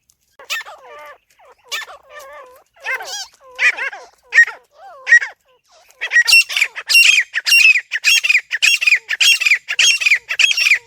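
Grey francolin giving harsh, squawking notes about once a second, then a faster run of loud, shrill, ringing calls repeated several times a second.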